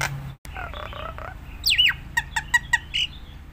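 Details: Nias hill myna singing a varied phrase for training other mynas: a few mid-pitched whistled notes, then a steep falling whistle and a quick run of sharp ringing clicks, over low background hum.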